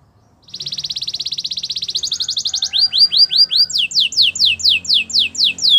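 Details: Canary song meant for training and wooing other canaries: a long even buzzy trill, a higher brief trill, then a run of sweeping downward whistled notes repeated about three per second.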